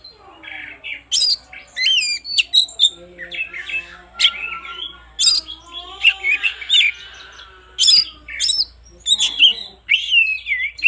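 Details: Oriental magpie-robin pouring out a rich morning song, meant to prompt lazy singers: fast, varied whistles, trills and sharp upslurred notes that keep coming over about eleven seconds, with soft lower notes beneath.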